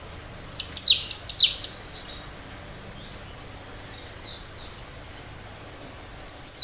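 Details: Cinereous tit sharp-shot phrase: a run of about seven shrill, staccato high notes, a pause with soft notes, then another sharp burst.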